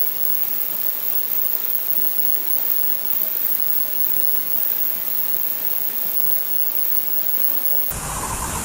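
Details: An engine-like hiss and rumble run steadily, ending in a sudden louder burst of noise, with no animal calls.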